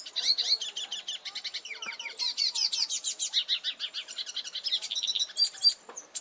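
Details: Singing goldfinch delivers a continuous, lively stream of sharp twitters and metallic trills, full of fast repeated syllables, with a few scattered clicks and no pauses.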